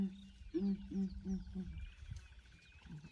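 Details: Southern ground hornbills calling one morning as a breeding herd of elephants comes to investigate; a short series of low, hollow hoots spaced about a third of a second apart, fading, with low rumbling background and faint birds.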